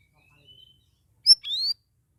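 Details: Caged straw-headed bulbul (cucak rawis) singing vigorously (gacor) in its second week after a group cage: a soft thin whistle, a pause, then a sharp click-like note and a bright, upward-sweeping whistle.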